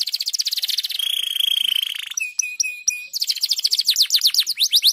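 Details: Canary song used to stimulate other canaries to sing: rapid rolling trills, a steady sustained buzzy tour, then clipped chopping notes and fast bright repeated whistles, continuous and loud throughout.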